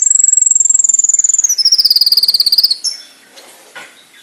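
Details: Konin (brown-throated sunbird) training song: a long, very fast high trill that holds steady, then drops slightly and turns harsher and buzzier before stopping, with soft scratchy notes afterward.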